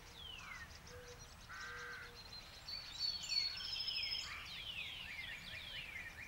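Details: Spring birdsong at the US National Arboretum in Washington DC: several birds call faintly at a distance, with thin whistles, descending slurred notes and quick high trills over steady background noise.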